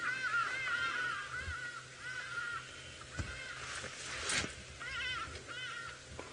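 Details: At a dam in Djuma Game Reserve, Sabi Sand, South Africa, around 4 PM on 15 April 2018, hadeda ibises and other birds burst into a loud, harsh chorus of overlapping nasal calls with thumps and rustles, likely panicked by an arriving fish eagle.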